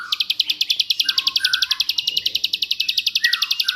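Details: Rapid-fire 'tembakan' song of a bar-winged prinia, recorded as training material for shamas, magpie-robins and other songbirds: a continuous rattle of sharp high pulses, with lower rising and falling whistled notes and soft background music.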